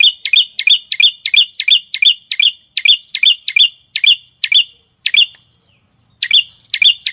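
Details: Small bird delivering a fast series of clipped chirps with a whistled tail, repeated evenly about three times a second, broken by a short silence before resuming.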